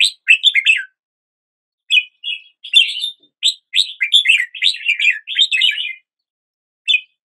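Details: Red-whiskered bulbul greeting the new day with cheerful warbled song, brief opening notes, a pause, then a longer string of fluty, bouncing phrases for about three seconds ending with a lone chirp.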